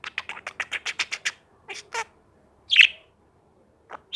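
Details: Pet bird making angry noises: a rapid series of about ten short harsh pulsed notes, then two softer notes and a single loud rasping squawk, with a last brief note at the end.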